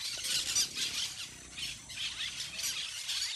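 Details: Parakeets in a flock at play among trees: overlapping high, screechy squeals that blend into a steady chorus with brief louder bursts.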